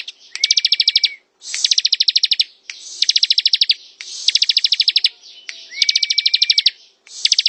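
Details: Ngebren singing by a bar-winged prinia: six quick-fire bursts of high, buzzy repeated notes separated by short pauses, two of them laid over a sustained flat whistle.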